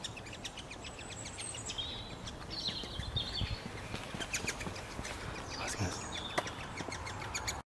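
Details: A pre-fledged great spotted woodpecker chick begs while its parent feeds it, in a dense, high, ticking chatter of rapid notes with brief squeaky whistles, over a steady rustling, noisy background.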